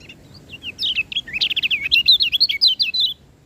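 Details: Lombok white-eye song: a fast, lively run of high twittering notes, quick up-and-down chirps strung together for about two and a half seconds over faint low background hum.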